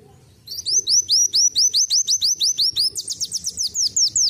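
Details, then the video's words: Black sunbird, locally called kolibri wulung, delivering a canary-like song: after a brief quiet start, a continuous chain of rapid, high, upward-sweeping whistles, changing to a tighter, brighter run in the second half. "akhirnya isian burung kenari masuk .KOLIBRI WULUNG RASA KENARI"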